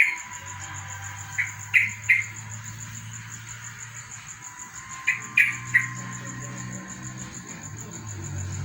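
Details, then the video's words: Yellow-vented bulbul (trucukan) singing after a morning dew bath: two short bursts of bubbly, mid-pitched warbled notes, three or four quick notes each, a few seconds apart, over steady high insect pulsing and a low hum. "burung Trucukan gacor terus MANDI EMBUN PAGI"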